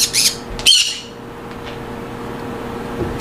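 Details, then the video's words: Two quick harsh squawks from monk parakeets in a colony-breeding aviary open the recording, followed by near quiet with faint hum and a final squawk starting. "أصوات ببغاء المولينا في السلاكات والتربية الجماعية"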